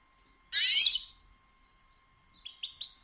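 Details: Female European goldfinch batbata call for stimulating males to sing: one loud, dense buzzy burst lasting half a second, followed by three short high chirps.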